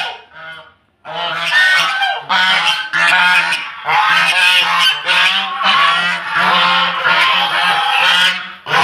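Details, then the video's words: Domestic geese from Netrokona, Bangladesh, brought to Tangail, honking at strangers since they keep unfamiliar people out of the house; near egg-laying time. Loud, brassy, overlapping honks in a continuous noisy chorus after a short opening call. "এই রাজাহাঁসগুলো বাড়িতে অন্য মানুষ ঢুকতে দেয় না। অপরিচিত মানুষ আসলে তো এরকম শব্দ করে।"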